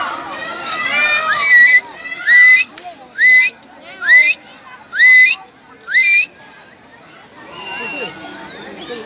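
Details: A blue peacock (Indian peafowl) spreading its tail gives six loud, nasal, upward-bending calls, about one per second, over people and children chattering in the background.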